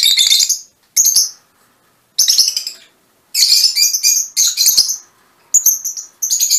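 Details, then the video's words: Kept mutation Fischer's lovebirds giving repeated shrill chattering bursts separated by short pauses, harsh high squeaks and rapid twitters. "mutación del agapornis - mutation fisher lovebirds"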